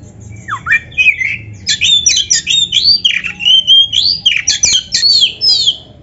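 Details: Oriental magpie-robin in full, lively song, meant to provoke caged birds into answering. A dense, loud run of varied whistled and scratchy phrases follows rapidly one after another, with sharp slurred notes and brief chatters, in a quiet indoor setting.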